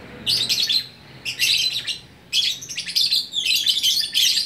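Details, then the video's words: Lovebird in Bukittinggi, West Sumatra, sings gacor orkestra: three dense phrases of rapid, scratchy twittering and high squeaks, each about a second long, broken by brief silences. "Burung Lovebird Gacor Orkestra"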